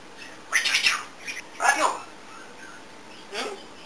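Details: Pet African grey parrot indoors, a talkative bird that mimics many sounds: two harsh, noisy squawk bursts close together, a short pause, then a quieter third rasping note.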